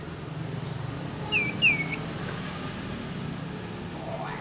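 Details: Young novice Sirpu bird giving a strange sound: two short, clear whistled notes in quick succession, each sliding slightly downward, over a steady low background hum.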